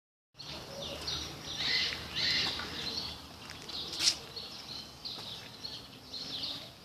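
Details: Sparrows in a bird park: a busy chorus of overlapping chirps and twitters, many birds calling at once with no clear rhythm, over steady background noise.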